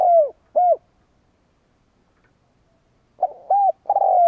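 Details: Decoy spotted dove calling to stir up rival wild doves; the tail of one phrase with two short hollow coos, then after a pause a new phrase beginning with quick notes and a long falling croo.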